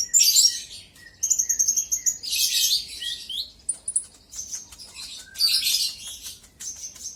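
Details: Sunbird (konin) lure song to provoke a rival. Loud scratchy bursts alternate with steady thin whistled tones and short lower chips, in uneven phrases of one to two seconds.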